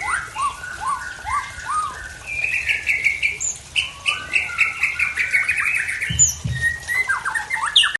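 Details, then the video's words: Aceh murai tangse (white-rumped shama) delivering strange fill-in song phrases: repeated rising whistled notes, then a long stretch of fast buzzy trilled notes, brief thump near the end, closing with a burst of high sharp chirps. "Murai Tangse Aceh Bongkar Isian Aneh"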